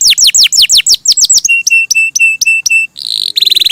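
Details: Canary in loud, lively song: rapid repeated downward-sweeping whistles, then a series of flat, steady notes about five per second, ending in buzzy trilled phrases.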